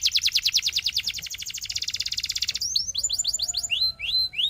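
A Belgian canary sings a fast, bright trill of rapidly repeated high notes for a few seconds, then switches to clear upslurred whistles.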